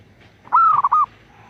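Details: Single rolling phrase from a female zebra dove calling a male: a rising whistle-like coo that breaks into three or four quick bubbling pulses, lasting about half a second.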